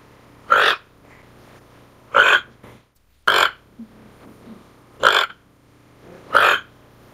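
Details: Toco toucan calling with deep, raspy croaks, five loud grating notes at uneven intervals of one to two seconds, plus faint softer sounds between them.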